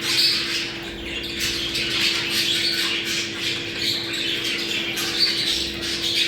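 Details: Chattering budgerigars, a sound used to bring the birds into breeding condition: a busy, unbroken wash of high twittering, warbled notes and raspy squawks from many birds, with a faint steady hum underneath.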